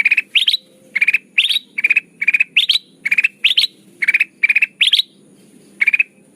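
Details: Sooty-headed bulbul calls used as a lure for trapping birds: steady bursts of four to five fast, harsh pulsed notes, some rising, repeated about twice per second across the whole stretch, with faint low hum behind.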